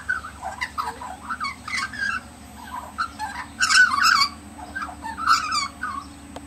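An Australian magpie sings a rich, warbling run of fluty, gurgling notes that rise and fall in quick varied phrases, over a faint steady hum.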